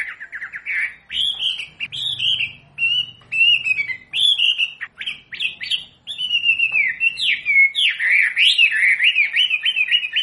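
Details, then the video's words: Captive wambi singing a training song for other caged birds: a long run of rapid, varied whistled and chattering phrases with sharp rising and falling notes, nearly continuous, with a faint low hum beneath. "SUARA MASTERAN BURUNG WAMBI BELAJAR BUNYI PASTI IKUT NYAUT"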